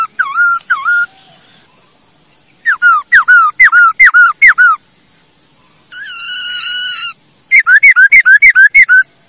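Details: Masked laughingthrush song for bird training: short bursts of quick looping whistled notes separated by pauses, with one long harsh buzzy note in the middle.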